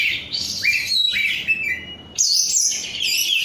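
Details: Kept Korean-strain oriental magpie-robin singing: bright rising and falling whistled notes with buzzy chatter, a short pause, then a dense burst of high twittering phrases.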